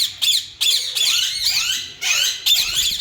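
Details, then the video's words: A breeding pair of yellow Indian ringneck parakeets gives harsh, screeching squawks, each one sliding downward, in three or four loud bursts close together. "yellow Alexander parrot natural sounds||yellow Ringneck Breeding pair"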